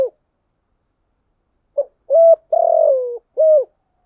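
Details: Red collared dove, a full calling sequence meant as a lure to draw wild doves: low hooted coos near one pitch, a short note, a longer gravelly falling coo, then another hoot, in clean silence.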